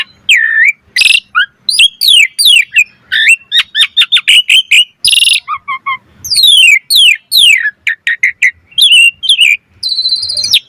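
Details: Asian pied starling singing a dense, varied song meant to provoke other starlings into song: rapid clicks, upward and downward whistled slurs, harsh noisy bursts and a low warble, barely pausing.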